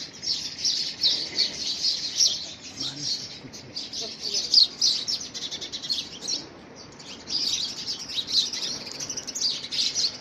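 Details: Early February 2017, house sparrows fighting for a homemade nest box: overlapping harsh chirps run on steadily, with one brief softer stretch before the chatter resumes loudly.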